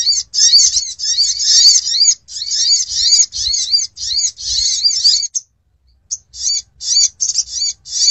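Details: Lure call of the sogon for attracting birds: long runs of harsh, high twittering and chatter, broken into bursts, with a clear silent pause near the end before shorter phrases resume.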